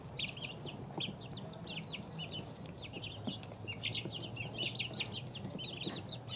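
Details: Group of two-week-old chicks giving scattered high peeps, sparser at the start then denser later, with a low hum and soft bumps in the background.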